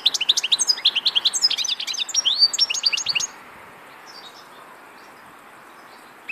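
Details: Fast tinkling twitter from a European goldfinch, dense chirps and short trills packed together for about three seconds, then it falls quiet except for a few faint distant notes.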